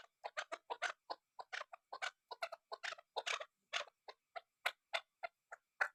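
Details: Chukar partridge, kept as a fighting bird and tagged as female, giving a rapid, uneven series of short, dry clucking notes, about three or four a second, in a quiet room.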